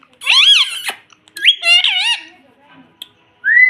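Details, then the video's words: Pet parrot trained to say mitthu and mummy utters two shrill, looping speech-like bursts, then a single click and a closing rising whistle. "TALKING PARROT - MITTHU MITTHU - MUMMY BOLNE WALA TOTA"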